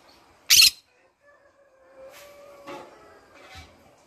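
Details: A pet green-cheeked conure singing indoors in the morning gives one loud, harsh screech, then a few fainter raspy chirps about a second apart over a soft indoor hum.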